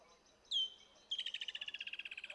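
Woodland Kingfisher: one sharp, high introductory note, then a fast, descending trill of about fifteen pulses per second, lasting over a second.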